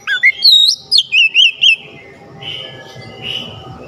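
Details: Short burst of oriental magpie-robin song for stirring a quiet bird: a rising whistle followed by quick looping notes, then fading into faint softer tones and background hum.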